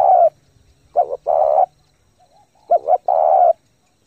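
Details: Spotted dove giving fast, intense cooing meant to stimulate and train newly caught doves: low hooting phrases, each a quick double note followed by one long drawn coo, repeated about every one and a half seconds.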